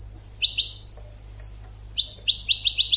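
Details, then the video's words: European goldfinch singing on an educational training recording: a thin high whistle, two sharp chirps, a quiet gap, then a quickening series of five bright, evenly spaced tweets, over a low background hum. "CD ekpedeutiko.karderina (educational goldfinch)"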